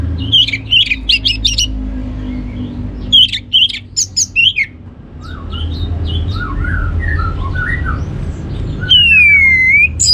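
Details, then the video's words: Singing orange-headed thrush (anis merah), played to stimulate other birds into song: two clusters of rapid sharp high notes, softer warbled mid-pitched phrases, then a long clear whistle falling then rising; low hum underneath. "ANIS MERAH Cor Suara Penggoda Membuat Burung Kenceng Jadi Ngeplong Lanjut Teler"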